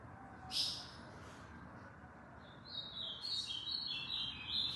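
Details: Tournament-kept ultramarine grosbeak from Aracaju, Sergipe, Brazil, heard faintly: a brief high burst, then after a pause a rambling, high warbled phrase of linked notes that drops and rises, over a soft background hiss.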